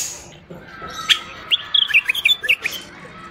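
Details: Common bulbul, a tame Moroccan bulbul, singing to teach young bulbuls: a single sharp note, then a quick, bubbling run of bright fluty notes over about a second and a half, faint steady hum beneath.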